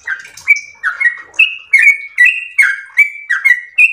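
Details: Singing yellow-vented bulbul, gacor ropel style: bubbly two-part whistles, a lower burry note sliding into a higher clear one, repeated about every 0.4 seconds. Background is clean.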